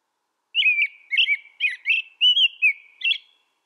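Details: American robin delivering a steady string of about seven clear, bubbling whistled phrases, each lasting under half a second, evenly spaced against a silent background.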